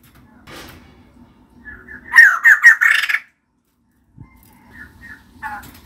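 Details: Female white-crested laughingthrush giving a short loud burst of three or four harsh, squawking notes, surrounded by faint scattered calls and near silence.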